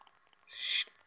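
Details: Owl heard from a hideout in the early morning of 8 January 2017, before dawn: a single rough, hissing screech lasting about a third of a second, rising out of faint background hiss.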